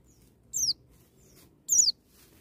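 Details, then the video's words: White-eye singing in the wild 'ngalas' style, used to spur young birds to sing: two high, thin notes sliding steeply downward, about a second apart, over faint low rumble. "BURUNG PLECI NGALAS NEMBAK,MEMICU PLECI BAHAN CEPAT NGALAS BUKA PARUH"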